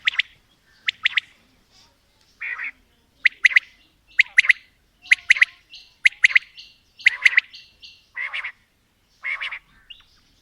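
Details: Long mixed calling of female and male quail. Sharp high triplets alternate with lower, buzzy, fuzzy bursts, roughly one per second, over a quiet background.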